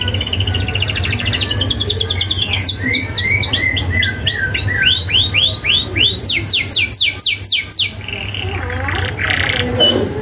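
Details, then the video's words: Canary in full song on a training recording used to get young birds singing: fast runs of sharp falling whistled sweeps, many per second, rising into a rolling trill, then softer notes, all over a constant low hum. "Kenari Gacor isian ngerol tajam MASTERAN ampuh Kenari Bahan nyaut ❗️canary birdsong"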